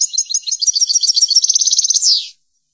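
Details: European goldfinch singing to teach song: bubbly high twittering becoming an even rapid trill, finished by a loud falling buzzy slur, quiet background.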